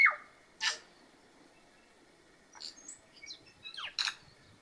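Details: A tui on Stewart Island, New Zealand, gives a varied string of notes: a sharp falling whistle, a harsh burst, then scattered high metallic clicks and squeaks over soft background hiss.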